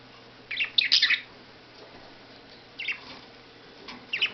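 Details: Pet budgerigars playing out of their cage and eating seed give quick bursts of bright, scratchy chirps, with short pauses between each burst.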